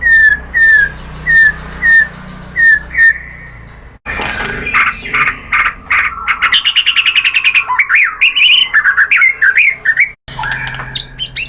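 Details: White-rumped shama song meant to stimulate caged birds to sing, opening with evenly spaced short whistles about every half second, then a dense run of varied chattering and sliding whistled notes.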